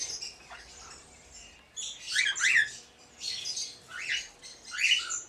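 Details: Two-year-old pair of red-winged parrots raising their first young, 20 days old. A faint scratchy start gives way to a run of loud grating squawks, five bursts about a second apart.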